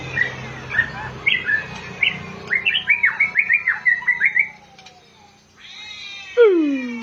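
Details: Oriental magpie-robin giving a run of short, clear whistled notes that rise and fall, quickening in the middle, then a pause and a long, smooth downward-sliding whistle at the end.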